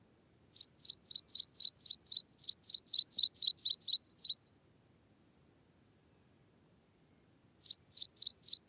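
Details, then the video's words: A Meadow pipit (Anthus pratensis) gives a run of about sixteen thin, high, falling notes at four per second, then pauses and starts another run over a faint low rumble. "Pievinis Kalviukas"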